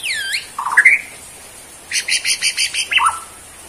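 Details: Borneo white-rumped shama, kept caged, mixing a descending whistle and twisting notes with a rapid run of about six harsh rattling chips and a final falling slur.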